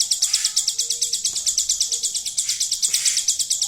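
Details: Hill prinia, a kept songbird, singing a learned imitation of the golden grasshopper: a fast, even train of thin, high, buzzy ticks, about seven per second, continuing without pause, with faint low background hum.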